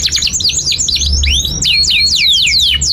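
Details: Tutor song of a canary for young and stalled birds, a tumbling string of looping whistled sweeps that swoop down and up, crossing each other, over a faint low hum.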